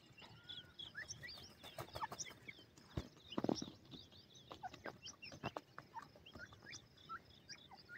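A francolin gives short, clucking notes with a few sharp clicks, mixed with high, scattered chirps from small birds nearby.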